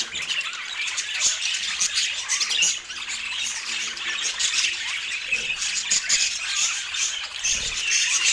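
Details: Several pet budgies warble and chirp at once, producing an unbroken high, buzzy chatter with rapid clicks and squawks layered over each other.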